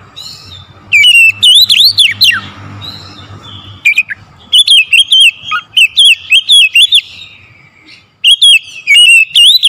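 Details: Continuous morning singing by an oriental magpie-robin, a long series of clear, wavering whistles and swoops, grouped in repeated bursts with short breaks, over a faint low hum.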